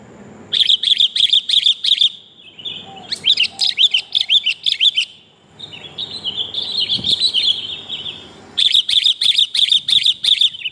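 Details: Female sooty-headed bulbul calling for a male, played to lure birds: fast runs of sharp, repeated chirps, about three per second, broken by a slurred, buzzy, wavering phrase in the middle.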